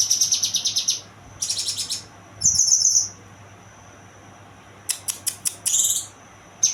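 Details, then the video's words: High-pitched chirping song of a young kinoy bird: rapid pulsed trills, a buzzy sustained note, then a quick series of sharp ticking notes before another short buzzy phrase. "burung kinoy muda"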